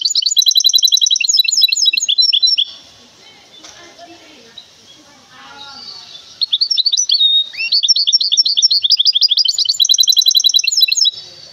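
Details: Hybrid goldfinch from Temara delivers rapid, high twittering phrases, pauses while people talk quietly in the background, then resumes with another long, dense burst of chirps and trills.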